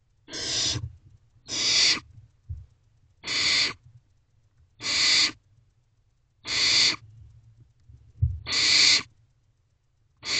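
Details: Barn owlets in a nest box at 9:12 pm on 21 May 2023, one feeding on a rodent as its siblings look on; a run of seven rasping, noisy hisses, each about half a second, repeating every one to two seconds.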